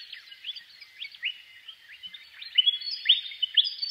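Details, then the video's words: Willie wagtail call: a run of short, sharp chirps and quick upward slurred notes. The notes start sparse and soft, then grow louder and denser in the last second and a half. "Natural Birds Voice, Bird Natural Sound.Willie Wagtail"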